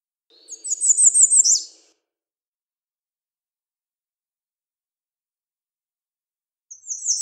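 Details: American redstart song of about five rapid, evenly repeated high looping notes ending in a sharp accented downslur, followed by a long pause and the start of the next song.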